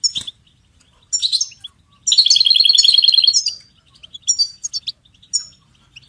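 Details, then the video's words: European goldfinch song meant to motivate and train songbirds: short twittering bursts, then a fast, even, high trill lasting about a second and a half, followed by sparse bright chirps. "Goldfinch ringtones for hunting and high motivation"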